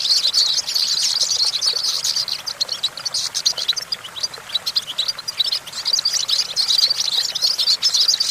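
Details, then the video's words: European goldfinch on a branch singing rapid, sweet twittering phrases of high notes and trills, with a quieter patch of scattered chirps midway before the full song resumes. "Discover the stimulating sounds of the natural the goldfinch"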